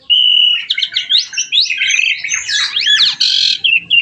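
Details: Lively starling song, a dense tumble of twisting whistles, chattering buzzy notes and sweeping slurs delivered almost without a break.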